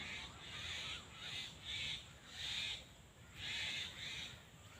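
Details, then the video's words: Black francolin, Sindhi tetar, calling: a series of harsh, nasal grating notes in uneven bursts, roughly one to two per second with short gaps, fairly distant over a steady background hiss. "Kala tetar / black francolin sound / black Patridge sound sindhi tetar"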